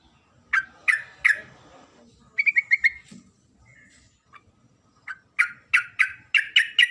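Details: Female sooty-headed bulbul calling to a male: three spaced chirps, a quick rattling run of notes, then a faster closing string of sharp, bright chirps.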